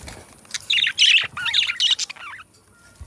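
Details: Two pet budgies singing and chattering together; a rapid run of scratchy, bright warbles and twisting chirps, busy and high, with brief sliding notes near the end and soft wing flutter.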